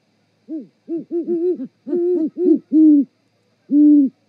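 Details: Two great horned owls hoot together in a mating duet on the Charlo osprey nest, Montana, 7 February 2018 at 18:12, live camera: quick, overlapping low hoots from both birds, then longer deep hoots with gaps.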